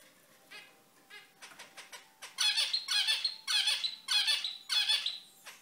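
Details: Zebra finches, described as bright and active, calling indoors: a few faint nasal notes, then a run of six loud, buzzy, harmonic honks about every half second, with a steady faint tone underneath.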